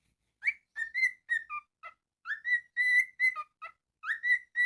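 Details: Pet cockatiel, a male, whistling a tune indoors: a quick run of clear whistled notes, mostly level or rising, with a few lower dips, in two phrases separated by a short pause.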